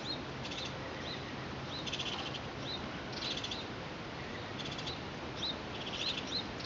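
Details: Three Hooded Oriole chicks being fed by the female, 25 April 2019, give short, high chattering calls in bursts every second or so over a steady background hiss.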